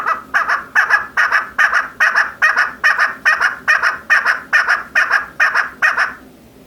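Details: Calling female chakor, the chukar partridge: a long, very regular series of loud, raspy chuck notes, roughly two or three per second, about fifteen in all, ending abruptly into quiet.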